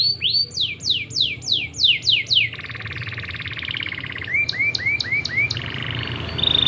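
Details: Singing canary recorded to push other canaries into song: a run of falling swept whistles, a dense buzzy trill, crisp short rising notes, then a thin steady high whistle.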